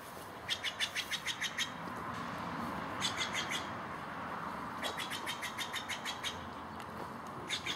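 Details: High, rapid series of repeated chip notes from a bird in Takilma, Oregon, early April 2017, sung in four separate bursts over a steady low rumble like passing traffic.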